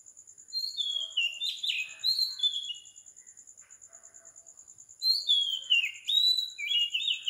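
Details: Oriental magpie-robin at 4 am in Sri Lanka, singing a few varied whistled phrases, pausing for about two seconds, then continuing with long sliding whistles, over a steady high pulsing drone.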